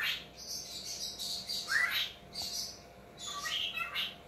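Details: Male talking pet cockatiel, indoors in dim light, watching himself on screen for the first time: a run of bright, slurred chirps and harmonic squawks, one rising sweep near the middle, with brief pauses between bursts.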